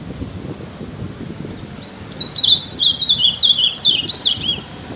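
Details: Ultramarine grosbeak (azulão), a privately owned bird, singing: after a quiet start, a rapid warbled phrase of about two and a half seconds of high, sweeping notes that rise and fall in quick succession, over a low background rumble.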